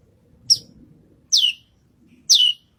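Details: Songbird known locally as branjangan, a lark, performing on a competition stage: three bright, clear notes sweeping steeply down in pitch, the later two longer and fuller, against faint background chatter.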